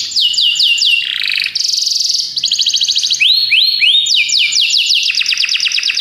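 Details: Continuous Belgian canary song mixing descending whistled sweeps, a dense buzzy trill, rising slurred notes and fast high rolls, all loud and without breaks.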